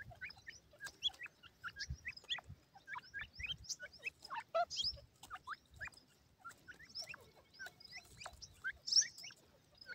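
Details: Group of white grey francolin chicks, captive, playing with their feed: continuous high, thin rising peeps from many birds, with scattered sharp pecking clicks.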